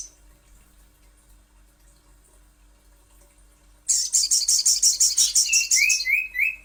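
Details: Little spiderhunter lure call: after quiet, a rapid series of piercing high chips for about two seconds, followed by three short rising slurred notes.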